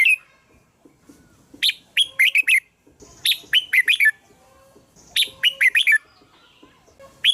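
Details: Bulbul song meant to draw in red-whiskered bulbuls, with several bursts of quick, bubbling, falling notes in clusters and faint steady whistled tones behind them.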